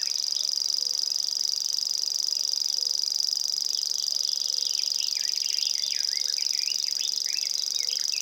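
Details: Estonian recording of a common grasshopper warbler reeling, a constant thin high buzz, joined later by a flurry of rising and falling chirps from other birds and a faint low tone.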